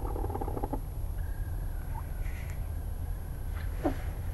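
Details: Chickens going to bed in a coop at night: a short buzzy, trilled murmur at the start, then quiet, then a brief soft note near the end, all over a constant low droning hum.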